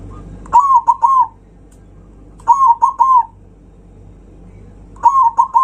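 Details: Zebra dove's loud provoking song aimed at rival birds, with three phrases of three to four rapid cooing notes repeating about every two and a half seconds, separated by quiet background.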